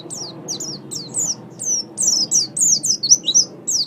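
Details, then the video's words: Oriental white-eye song, used to tutor songbirds: a series of sharp, high, downward-sweeping chirps given several per second, each note slurring quickly from high to lower pitch. "Ocehan Burung Pleci"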